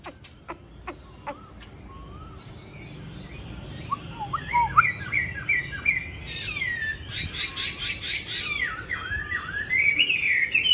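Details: Chinese hwamei, caged and tame, a fighting bird from Hanoi, Vietnam: scattered sharp clicks and soft notes build into a loud, fast, buzzy and whistled warbling song that intensifies toward the end.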